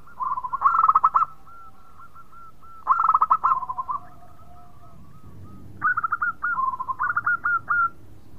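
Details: Melodious local zebra dove in lively song, said to spur other birds to sing: two loud bubbling bursts of rapid coos with lingering soft notes, then a chain of crisp high-low staccato notes.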